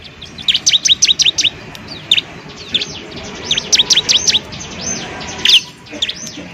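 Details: Prinia tutor recording, Bar-winged prinia: an opening string of six quick shrill chirps, then sparse single and paired slurred notes, with another dense cluster midway, over noticeable low background rumble.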